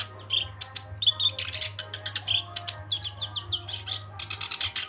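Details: A Black-browed reed warbler sings energetically, alternating pure whistled notes with harsh rapid chatter and short slurred notes, delivered continuously over a faint low electrical hum.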